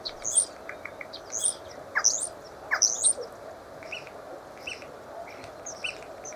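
A common starling gives high, squeaky chirps in bursts about once a second, mixed with a few down-slurred whistles, over a steady low hum.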